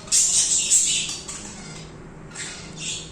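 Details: Budgerigar song: two loud raspy, shrill chirping bursts at the start, then softer scratchy chatter and a pair of brief squawks near the end.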